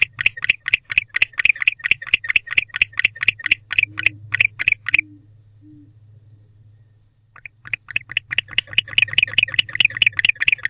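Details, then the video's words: Male barn owl back at a nest box at night, 10:37 pm on 25 October 2023, calling to his mate: rapid series of short raspy chirps, about three per second, stopping for two seconds midway, over a steady low hum and faint clicks. "Male Barn Owl Back in the House Calling to His Mate"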